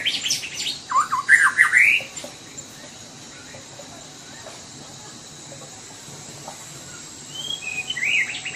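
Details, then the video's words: White-rumped shama from Sumatra in lively song: a quick burst of sweet whistled notes, slurred and rising, mixed with sharp high chips, lasting about two seconds, then a pause before another short whistled phrase near the end. Steady faint hiss behind. "murai batu sumatra. _suara asli alam gacor"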